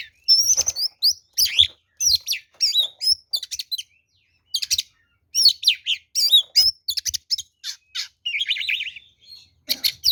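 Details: Oriental magpie-robin in full 'ngeplong' fighting song, used as a lure for rivals: rapid, densely packed whistles, chips and harsh notes, a long trilled buzz late on, faint clicks underneath.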